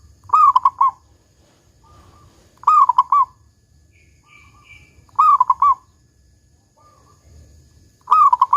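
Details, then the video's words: Local zebra dove (perkutut) with a big 'kung' song to encourage other doves to sing: four bubbling phrases of quick coos roughly every two and a half seconds, with faint short notes in the gaps. "Perkutut Lokal GACOR Suara Kung Besar"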